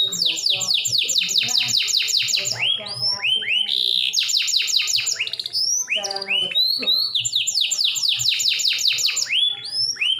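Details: Canary singing to prompt other canaries to answer: rapid series of high, sharply descending whistled notes in trilled bursts, broken by rolling buzzy trills and rising slurs, the pattern returning several times.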